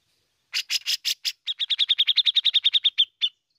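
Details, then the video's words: Bearded bulbul, called cucak jenggot, singing in full voice with chattering and fast trilling notes, used to prompt other birds to sing: five harsh broadband notes, then a rapid run of about twenty clipped, bright ticking notes. "CUCAK JENGGOT GACOR"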